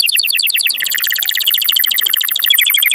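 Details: Strong canary song meant to spur males and rouse females to breed; a continuous, very rapid trill of bright high notes, with pulses changing pitch and tempo, ending in sharper whistled notes.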